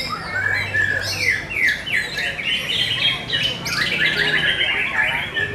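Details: At a singing contest, white-rumped shamas pour out bright, rapid whistled phrases with sharp downward sweeps, dense and continuous, with faint voices and a low hum beneath.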